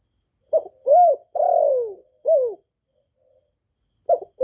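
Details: Spotted dove from Vietnam, a kept bird cooing in the gọi, thúc and gù styles to urge newly kept doves to sing. A clipped note, an arched coo, a long falling coo and another arched coo, then a second phrase starting.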